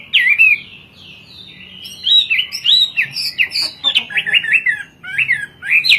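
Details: Hwamei, a species imported to Indonesia from China for its melodious, varied singing, giving a rich run of loud whistled phrases with rising and falling slurs and quick twisting notes, a short quieter pause near the start.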